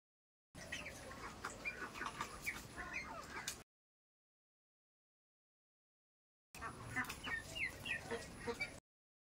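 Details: Helmeted guineafowl chicks give rapid, high peeping chirps over a steady rushing background.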